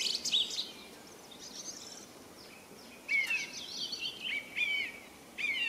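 A song thrush sings bright, varied phrases of whistles and chirps, high-pitched with short pauses between them, over a soft background hiss.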